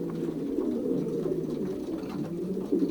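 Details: Pairing time in a young racing pigeons' loft, 2023 season, Pruszków section, Poland: steady low, burbling coos from many birds at once, with a slightly louder coo near the end.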